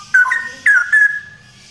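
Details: Male straw-headed bulbul singing loudly in ropel style, giving three rich fluty whistled notes, the last one long and slightly falling before fading.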